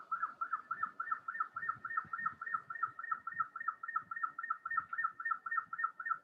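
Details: Bushy-crested hornbill, shown as females, from Kinabatangan, Borneo, a species living in large flocks: quick, even series of yelping mid-pitched notes, about three to four each second, running unbroken throughout with faint low rumbling behind.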